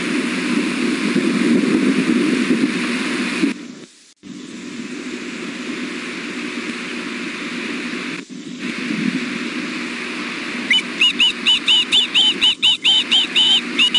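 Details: Three young ospreys at a Wolf Bay, Alabama nest, 5 July 2016 around 6:00 pm, give rapid, shrill whistled chirps, food-calling and begging, one biting at its mother, after a stretch of steady wind noise.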